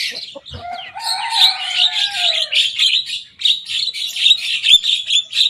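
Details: Javan myna, a young bird singing actively and mimicking rivals' songs, opens with a slurred whistle, then a long low whistled note under scratchy high chatter, running into a steady rhythmic stream of rapid, buzzy repeated notes.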